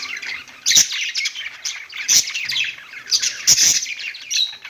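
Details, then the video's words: Perched pet budgies produce a steady warble of high chirps and squeaks, punctuated by several loud sharp clicks at irregular intervals. "budgies singing on perch"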